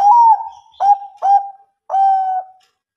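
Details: Bangkok-type zebra dove giving mbekur ngerot song meant to coax quiet birds into singing. A gently falling opening coo is followed by three short, rolled, cooing notes, with clear pauses between them and no other sounds.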